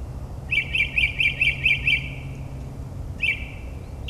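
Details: Midnight suburban New Jersey: a northern mockingbird's mimicking song gives a row of seven quick, bright, repeated notes, a silent gap of over a second, then one more brief note. Low background hum underneath.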